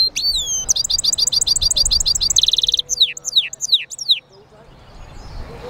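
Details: European goldfinch mule song from a caged bird: fast repeated rising whistles, a buzzy trilled rattle, then several loud downward-slurred notes, ending in quiet room noise.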